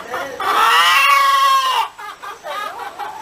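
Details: Hen cackling: a loud drawn-out squawk lasting over a second, followed by softer choppy clucks with rising and falling pitch.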